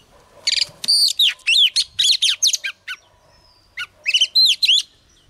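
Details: Singing female Oriental magpie-robin, used to stimulate males: loud, rich bursts of mixed whistles and harsher notes in quick succession, a short gap, then more rapid looping whistles.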